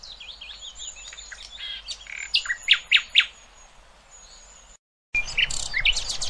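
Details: Nightingale phrases played to train young goldfinches and hybrids, fainter and more scattered: varied chirps and short whistled notes with a brief gap of silence midway.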